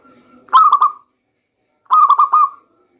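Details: Two quick stuttered coo phrases from a local zebra dove about a second and a half apart, each trailing into a drawn note over a faint low hum. Sung as a rainy-season lure.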